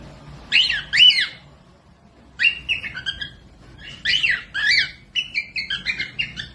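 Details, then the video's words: Cockatiel song used as a tutor recording for lazy-singing or young birds to copy: loud whistled phrases that rise and fall in pairs, then a run of short repeated warbling notes, with quiet gaps between bursts. "Cocok buat pemasteran falk yang malas bunyi langsung nyaut pemasteran cockatiels"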